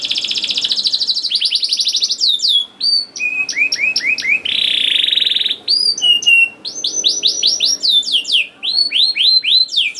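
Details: Young-canary lure recording of a canary singing continuously: rapid buzzy trills alternate with runs of sharp rising whistled notes and a brief harsh rattle, all high-pitched with no other sounds.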